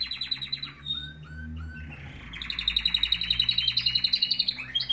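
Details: Canaries in morning song: a few short whistles and low slurred notes give way to a loud, fast, evenly pulsed trill, with a faint low hum behind.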